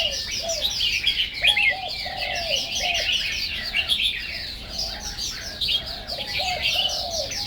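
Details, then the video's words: Chinese hwamei singing: a busy stream of varied, rapid whistled phrases and slurred notes, with a lower repeated whistled motif running underneath throughout. "Ban (Chang Wei) Bird singing"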